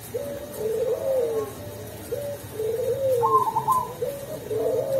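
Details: Zebra dove of the local Perkutut Cemani variety, a kept songbird from Tulungagung, singing actively in the melodious 'ulem' voice style: soft, low, rolling coos repeated in phrases, with a fainter higher trill overlapping midway, in a small room.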